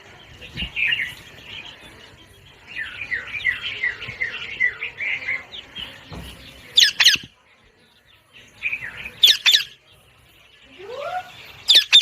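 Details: Parrot producing a run of quick chirpy notes, then separate harsh squawk bursts spaced a couple of seconds apart, with a short rising whistle near the end.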